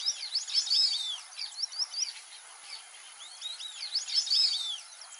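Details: Wild white-faced whistling ducks in the Brazilian Pantanal whistle in a chorus of sharp, arched, high-pitched notes. Two loud bursts, four seconds apart, stand out over a constant shrill insect drone.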